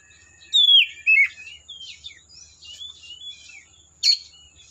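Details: Oriental magpie-robin from the forest giving two loud descending whistled slurs, then a soft warbling run of thin notes and a final sharp chip.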